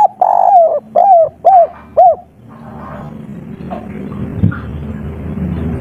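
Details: Local spotted dove in kuk 3 style: four gentle arched coos in quick succession, then about three seconds of low, rumbling background noise.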